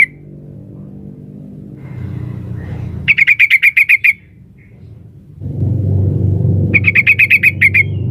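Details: Female sooty-headed bulbul calling the male: two rapid chattering runs of around eight ringing notes each, about four seconds apart, with a low rumbling background that grows louder before the second run.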